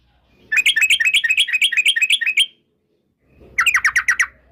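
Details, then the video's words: Yellow-vented bulbul, a female in full active song, used as a lure in the ropel rapid-trill style: two bursts of fast, repeated slurred notes in a bubbling chatter, the second burst shorter after a brief pause. "TRUCUK gacor UPLIK NGEPRUL pancingan trucuk agar BUNYI, jadikan burung trucukan BUNYI ROPEL"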